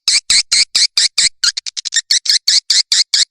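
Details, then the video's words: Swiftlet lure sound for calling and roosting, used by swiftlet farmers in Indonesia: evenly spaced loud high chirps, broken by a brief cluster of fast ticking notes, then steady chirps again. "SUARA PANGGIL DAN INAP BURUNG WALET"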